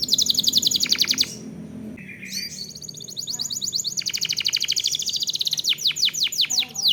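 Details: Canary song used as a lure to prompt other canaries to sing: fast repeated high trills and rolls, a brief lower buzzy note, then sweeping descending whistles repeated rapidly.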